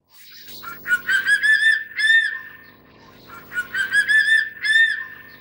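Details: A crested serpent eagle (Spilornis cheela hoya) in Taiwan, recorded while feeding its chick, gives two bursts of loud, ringing whistled notes. Each burst is a quick run of slurred, slightly rising notes, with a brief pause between.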